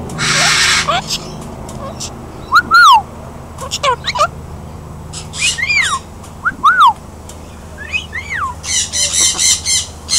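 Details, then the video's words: Pet parrot laughing and whistling: loud arched whistled notes rising then falling, repeated several times, mixed with harsh noisy squawks and laugh-like bursts over a steady background hum. "Funny Parrot laughs and whistles"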